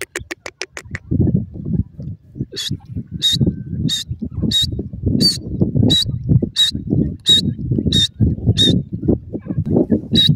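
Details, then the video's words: Grey francolin, known locally as teetar, male and female: sharp, squeaky call notes repeated about every 0.65 seconds over steady low thumping and rumbling handling noise, with a quick burst of clicks at the start. "teetar nar R madi ki awaz,grey francolin female vs male ki voice"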